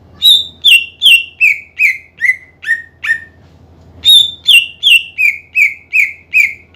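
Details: Greater green leafbird singing energetically, used to stir rivals into singing: a run of loud whistled notes sliding downward step by step, a brief pause, then the same descending series starting again.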